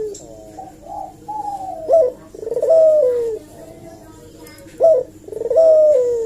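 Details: Eurasian collared dove lure call meant to provoke a reply: a short sharp note followed by a long, slightly falling coo, repeated in phrases about every three seconds. The sequence has a few softer notes between the phrases.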